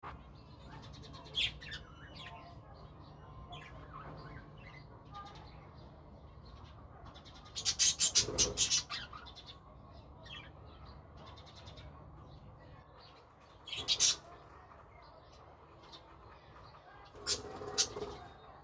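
Budgerigars give scratchy chirps and bursts of rapid, buzzy chatter over a low background hum.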